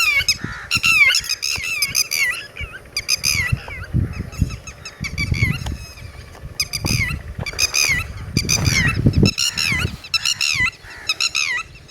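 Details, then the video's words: Red-wattled lapwing near its chicks, a ground-nesting bird that defends its young by making noise, calling in shrill repeated bursts of sharp bending notes, with low rumbling handling or wind noise underneath and faint background sounds. "Red Wattled Bird Singing And Red Wattled Chicks (ٹٹیری )"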